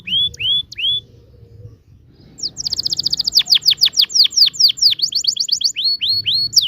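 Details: Canary singing a long rolling 'ngerol' song used to teach young canaries: three slow upswept whistles, a pause, then a fast rattling roll of descending notes ending in looping whistles.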